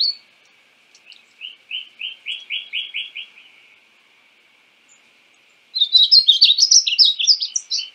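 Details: Painted bunting: a slow series of about eight even, buzzy notes on one pitch, a pause, then a rapid bright tumble of high warbled notes.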